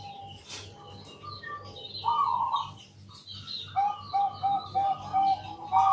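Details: Bangkok zebra dove cooing at night as a lure for other doves: a burry phrase, then a string of six short clear coos about every half second, amid chirps of other birds and a low throbbing hum.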